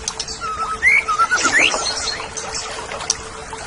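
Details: Oriental magpie-robin song used as training audio for caged songbirds: clear whistled notes, some sliding upward, others held level, over a busy background of chirps, a faint trickling sound and a steady low hum.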